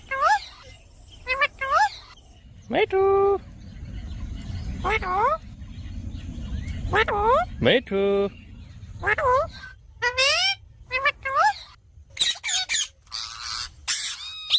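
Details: A pet Indian ringneck (rose-ringed) parakeet talking: short bursts of speech-like chatter, raspy syllables with rising inflections, and sharp high squawks over a low background hum.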